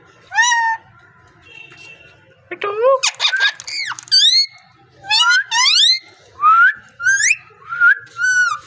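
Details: Talking parrot producing a varied string of squeaky, harmonic calls: a high whistled note, a rapid clicky buzzing burst, then several swooping and rising whistles in quick succession.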